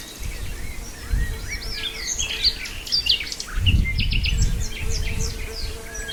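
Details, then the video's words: Nightingale in Brijeste singing slurred, swooping whistles and quick chirped notes, followed by a string of sharp rapid downward notes, with low rumbling background noise swelling in the middle. "Nightingale in Brijeste"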